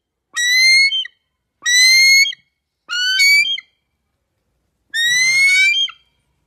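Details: A bald eagle in Canada gives four high, thin squealing whistles, each under a second and slightly rising, with short pauses between; no other sounds intrude.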